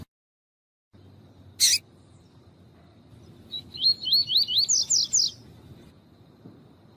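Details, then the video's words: Rusty-collared seedeater, male and female calling, played to warm up a male and get him singing: one sharp click, then a quick series of about eight rising whistled notes in a short phrase, otherwise quiet. "COLEIRO TUÍ-TUÍ COM COLEIRO TUÍ-TUÍ E FÊMEA CHAMNDO"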